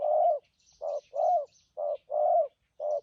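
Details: Spotted dove kept for trapping, cooing in thúc gù and phóng rước style: rhythmic low coos, a long slightly falling note followed by a short one, repeated about once a second, faint bird chirps above.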